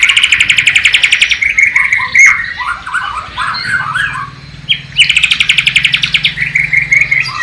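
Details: Sikatan londo (nightingale) imitation sung by a Bornean white-rumped shama from East Kalimantan: two bursts of rapid buzzy trilling separated by descending whistled slurs and quick chattering notes.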